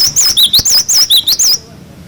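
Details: Cinereous tit (glatik batu) singing its clear 'wucit wucit' song, used as a tutor recording for young birds: about eight quick, looping high whistled notes packed into one and a half seconds, then sudden quiet.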